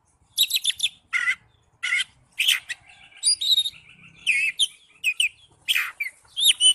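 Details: Oriental magpie-robin (kacer) in ngipas style, singing loudly: bursts of sharp, varied whistled and chirped notes, some rising and falling, delivered in quick clusters separated by brief pauses.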